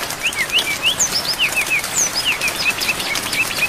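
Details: Brown-chested jungle flycatcher song made as a training recording for songbirds, full of varied phrases, mixed with rain. Clear high whistled notes, some slurred up and some down, follow each other rapidly, about three per second, over a steady hiss of rain.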